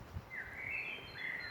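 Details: Birds singing in the dark at about 5:40 a.m. on a cold, rainy, cloudy morning of 10 to 12 °C in Austria, giving faint, thin, drawn-out, slightly wavering mid-high whistles, two phrases in quick succession, over steady background noise.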